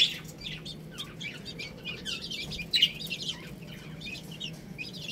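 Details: Little chickens eating rice fill the scene with overlapping high peeps and chirps, soft and continuous, with occasional louder notes.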